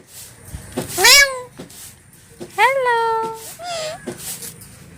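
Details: Talking pet parrot indoors gives two clear nasal calls, each jumping up and then holding a level, slowly falling tone, followed by a short softer syllable, with faint room noise.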